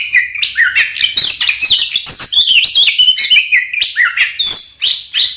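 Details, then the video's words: Energetic song of an Oriental magpie-robin, used as a lure to make other magpie-robins aggressive; dense sequence of sliding whistles, rising and falling notes and scratchy chatters without pause. "SUARA BURUNG kacer gacor NGEPLONG TARUNG konslet ini paling AMPUH buat PANCINGAN KACER agar EMOSI"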